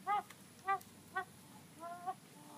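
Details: Chicken making an odd whining noise, recorded on a mobile phone: three short nasal harmonic whines about half a second apart, then a longer, flatter drawn-out whine, over a steady background hiss.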